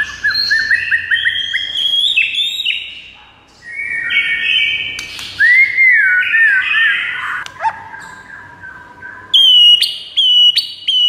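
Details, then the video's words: White-rumped shama in varied song: rapid rising notes, buzzy and scratchy phrases, rich down-slurred whistles, then high ringing whistled notes at the end; meant to make other shamas answer within seconds. "JADIKAN MURAI BATU NYAUT DALAM HITUNGAN DETIK SAJA"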